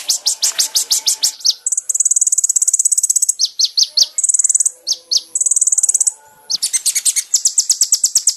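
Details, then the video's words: Kolibri ninja masteran song made to train caged birds. Rapid series of high descending chips alternate with long buzzy high trills, continuing without pause to the end. "MASTERAN BURUNG KONIN TERBAIK SEPANJANG MASA FULL ISIAN MEWAH MATERI KOMPLIT"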